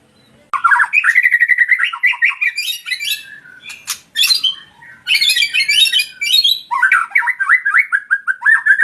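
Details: Male white-rumped shama singing: loud varied phrases of rich whistles, rapid chattering notes and harsh bursts, with brief pauses between strophes, close and clear indoors.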